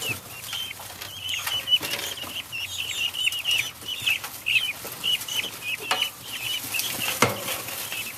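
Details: Young helmeted guinea fowl in a coop grow excited while their water and food are refreshed: a busy chorus of short, shrill chirps, many birds overlapping in quick uneven bursts, with sharp clicks and clatter from handling.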